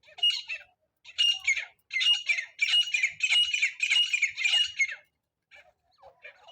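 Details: A francolin, its call used for net-trapping francolins, gives loud, harsh, grating phrases about one second each, repeated almost without pause, then trailing off into scattered softer notes.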